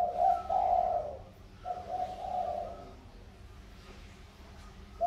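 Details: A captive spotted dove, wild-caught from fields and tamed for two years as a lure bird, coos vigorously: two low, soft, rolling, slightly hoarse phrases in the first three seconds, then another beginning at the end, over a faint hum.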